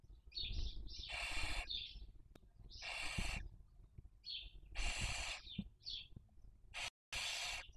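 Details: Webcam at a barn owl nest in Cabañeros National Park, Spain, 2023 breeding season: four broad rasping hisses roughly every two seconds alternate with brief high chirps over steady low noise.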